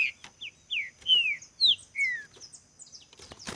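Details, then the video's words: Spirited green-winged saltator in a singing contest, giving a run of clear whistled notes that slide downward, each about a quarter second, with faint higher chirps and some clatter in the background. "Trinca ferro na disputa"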